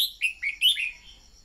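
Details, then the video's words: Red-whiskered bulbul singing a training decoy phrase meant to spark singing: a fast cheerful series of slurred whistled notes fading out, with a soft steady high buzz in the background. "Luyện giọng chào mào mồi-kích bổi mau hót"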